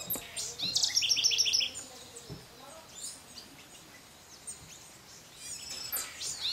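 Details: Scrub blackbird, race warczewiczi, recorded in May 2012 at Sachatamia Lodge, Ecuador: a quick burst of five or six high, clear chipping notes in under a second, followed by quieter background chirps and rustling.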